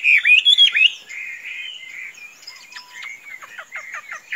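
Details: Chinese hwamei, a tame pet bird said to be as docile as a chicken and kept loose without flying off, opens with a loud burst of rich, looping whistled phrases, then continues softer with a run of short quick chirps.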